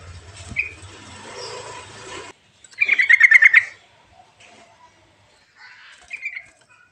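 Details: Sooty-headed bulbul song: one quick burst of about eight bright, bubbly notes strung close together, preceded by a rough, noisy passage and followed by a fainter short chirp.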